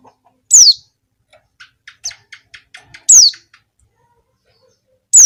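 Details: Female Javan white-eye calling males, played as a lure; sharp high descending chirps at intervals of about two seconds, with a soft series of faint ticking notes between them.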